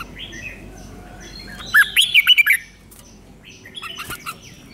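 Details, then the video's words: A red-whiskered bulbul in Thailand sings a five-syllable song with doubled phrases, a quick, bright phrase of warbled, bouncing syllables, followed by softer chirped notes a couple of seconds later. "เสียงนกกรงหัวจุกเบิ้ล2 เบิ้ล3 เพลง 5 พยางค์"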